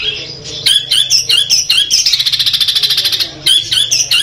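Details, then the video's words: Caged Madura long-tailed shrike of the Peterpan type, singing Armagedon material. Sharp squeaky bursts lead into a rapid, rattling buzzy trill of about a second and a half, followed by further scratchy chirps. "CENDET MADURA PETERPAN DENGAN MATERI FULL ARMAGEDON"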